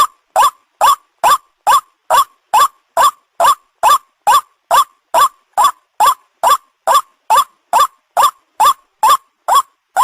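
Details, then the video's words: White-breasted waterhen (ruak-ruak) call played as a lure for catching birds: harsh, rising croaked notes repeated steadily about twice per second, with no other sounds. "the sound of the ruak ruak"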